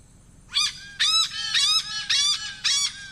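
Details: A Malabar pied hornbill recorded in Sri Lanka gives five harsh, nasal cackling notes about twice a second, each hoarse and rich in overtones, over a faint low hum.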